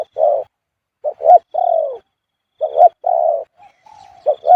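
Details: Spotted dove singing the khu-ang coo style almost all the time: soft, low cooing phrases of quick clipped notes, each ending in a long, smooth, gently falling coo, repeated steadily with short pauses.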